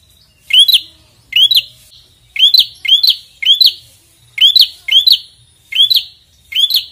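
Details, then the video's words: Prinia (prenjak) calling insistently as if challenging a rival: loud, sharp, upswept chirps with a buzzy edge, about one burst per second, steady. "prenjak gacor ngotot narung lawan"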